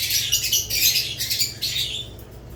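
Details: Chattering budgerigars kept with lovebirds: a thick mix of high, scratchy chirps and short whistled notes from many birds, tapering slightly toward the end, over a soft steady low hum.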